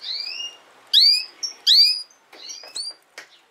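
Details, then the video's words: Canary sounds meant for young canaries learning to sing: a quick run of loud, high, rising chirps and thin whistled notes, closely spaced, followed by softer scratchy fragments. "Chant De Canari Pour Apprendre Au Jeune Canaries"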